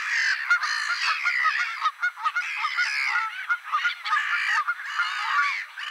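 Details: A close, loud chorus of Mediterranean gulls, recorded 23 March 2024 at Polders Poelgeest in the Netherlands: harsh, nasal, bleating calls tumbling over one another in dense bursts with brief pauses.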